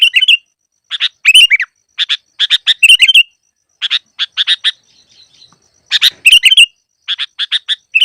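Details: Sooty-headed bulbul on a trapping lure track. Quick chirps and liquid warbled phrases come in tight bursts, broken by one longer pause mid-way before the calling resumes.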